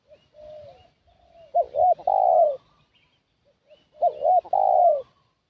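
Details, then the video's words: Spotted dove used to draw in wild doves: quiet drawn coos, then two strong phrases of two short notes and a broad, falling final coo, repeating after roughly two and a half seconds. "Suara Pikat Burung Tekukur"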